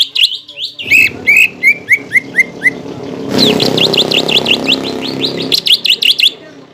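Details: Greater green leafbird lure song used to spur contest birds into fighting style: a run of short descending whistled slurs, then a dense buzzy chatter of rapid repeated notes, with steady background hiss.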